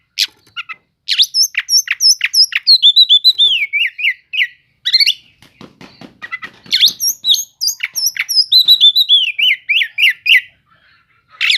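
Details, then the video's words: Sustained kacer cele'ngan song from an Oriental magpie-robin, used to goad sluggish magpie-robins: dense repeated high whistles and sharp chips, several notes a second, with ringing downslurred phrases and a short break midway. "Pancingan untuk burung kacer yang lambat emosi.setelah dengar kicauan kacer cele'ngan ini"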